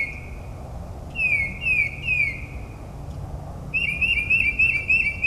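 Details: Mockingbird singing at night in New Jersey suburbs, imitating other birds: a held whistle, then three down-slurred notes in quick succession, a pause, and a rapid warbled run of whistles, with a constant low hum beneath.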